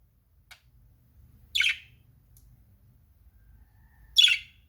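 A budgerigar gives two short, harsh, buzzy chirps about two and a half seconds apart.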